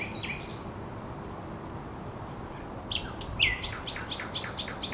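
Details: Thrush nightingale singing at the Żerań Canal on 24 April 2022. A few thin, high whistled notes come first, then a fast series of sharp, identical notes at about five per second, over a steady low background rumble.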